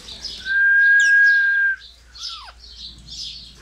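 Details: Pet Indian ringneck parakeet giving a long steady whistled note, then a quick downward-sweeping chirp, with softer scratchy chatter between.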